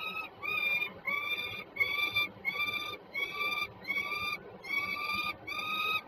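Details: Peregrine falcons at Żerań, Warsaw, Poland, recorded 26 September 2022: a steady run of drawn-out, harmonic, slightly nasal wailing notes, each under half a second, repeated about once per second over a low background hum.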